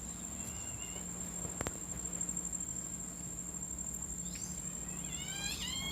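A Great-tailed Grackle gives a burst of squeaky, rising whistles near the end, like a squeezed balloon, over a steady high insect-like hum and low background drone.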